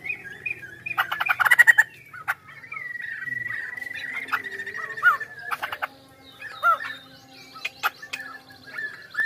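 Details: Poksay Hongkong, the Chinese hwamei, delivers scattered loud chips, a quick rattled trill, and long thin whistles broken by brief slurred notes, with quieter stretches between phrases.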